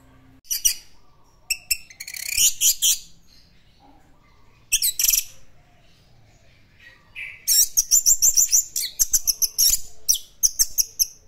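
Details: Orange-headed thrush, locally anis merah, singing in classic style. Short bursts of harsh high chirps alternate with gaps, ending in a fast, rattling series of sharp notes.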